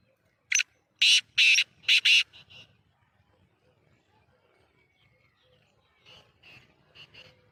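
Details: Black francolin (kala teetar) of the Sheedi nasal type calling: a loud, harsh phrase of grating, buzzy notes, short then two long then a quick pair, followed by softer echoing notes, with low background rumble.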